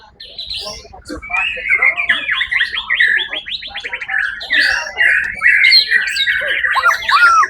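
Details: White-rumped shama, a competition bird, singing at a songbird contest held 1 October 2023: a rich, continuous run of varied whistles and rapid buzzy trills, with ringing pure notes rising and falling between low and high phrases.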